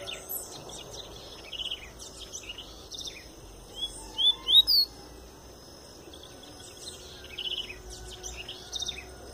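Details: Double-collared seedeater giving the pure Tui Tui song style, the bird just coming out of molt; mid-clip a short run of four high, whistled, upward-slurred notes, with faint scattered chirps and a steady background hiss.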